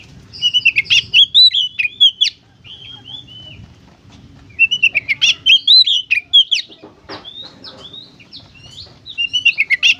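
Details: Oriental magpie-robin giving 'gacor konslet' song to prompt other kacer to sing: three bursts of fast whistled, twittering phrases, each about two seconds, separated by short quieter gaps with faint hum.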